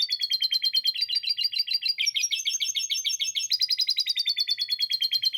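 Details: A canary performs long, full song in Indonesian 'gacor' style with lovebird-chatter fill. Rapid, evenly pulsed high trills run continuously, shifting pitch in steps every second or so, loud and clean.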